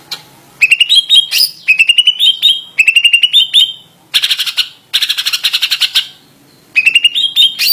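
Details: Greater green leafbird in insistent 'ngotot' song, giving fast runs of ringing notes that step upward in pitch, broken by two harsher buzzy bursts, with faint low background noise between phrases.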